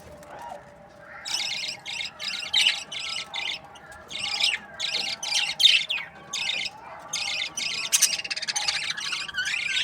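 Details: Chatter from budgerigar breeding pairs: a series of buzzy, rasping bursts about half a second long repeated in runs, with softer warbling and faint whistles between them.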